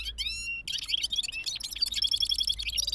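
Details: Bulbul, known locally as gulsar or balkashal, singing a rolling song: a run of rising whistled notes, then a dense stretch of rapid, high chattering and warbled phrases with a constant low hum underneath.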